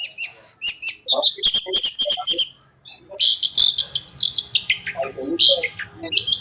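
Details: Long-tailed shrike song used for training: mixed whistles and harsh chirps in quick bursts, a short gap, then varied mimicking notes over a low hum.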